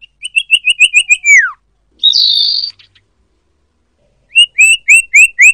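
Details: A common iora, recorded as a lure call for trapping, gives a quick run of about seven bright chirps ending in a falling slur, then a harsh buzzy note, then five more chirps.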